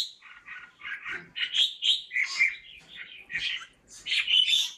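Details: Caged red-whiskered bulbul delivers a quick series of chirpy warbled notes, about four per second, varying between mellow lower phrases and sharper high squeaky notes.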